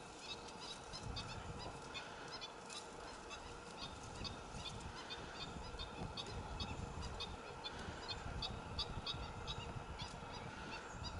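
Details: Black-winged stilt chicks calling in Arucas, Gran Canaria, on 28 June 2018: many short, high peeping notes scattered rapidly and irregularly over a steady rushing background noise.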